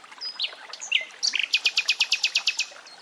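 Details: Nightingale singing in woodland with water sounds: soft introductory whistles and a slurred note, then a loud, rhythmic series of about twelve sharp repeated notes delivered evenly in quick succession.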